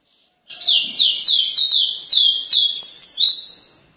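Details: Capped seedeater (caboclinho) singing the paraense song style: a quick run of about nine high, down-slurred whistled notes, each sweeping from shrill to lower, with a final rising note, all in clean silence.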